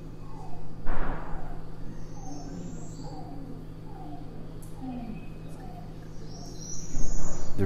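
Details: A Yellow-billed Cuckoo, a scarce bird of riparian areas in Idaho, gives a call of about eight hollow, clucking notes, each slightly falling, under a second apart, over a steady low hum and a brief thump.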